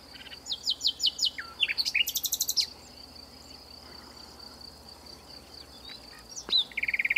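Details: Long-singing nightingale in a bush in the south of France: a series of slurred whistles, a brief buzzy burst, a quiet gap, then a sharp note and a fresh trill start, with steady insect hum.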